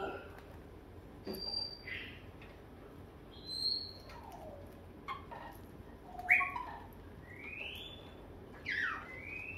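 A grey parrot gives a string of clear whistles: short high notes, falling slurs and rising sweeps, spaced about every second or two against a quiet room.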